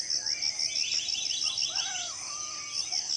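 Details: Birds singing in the morning in tropical rainforest in Southeast Sulawesi, several sliding, wavering whistles over a steady high pulsing insect chorus.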